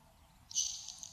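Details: In a Maine saltmarsh, a singing Nelson's sparrow gives a single high, hissing buzz, like fat sizzling in a pan, swelling suddenly and fading after about half a second over a quiet background.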